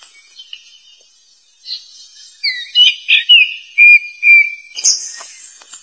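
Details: A wild black flycatcher gives loud calls that attract rivals: a quick run of clear, loud whistled notes, mostly steady in pitch, ending in higher, thin squeaky notes.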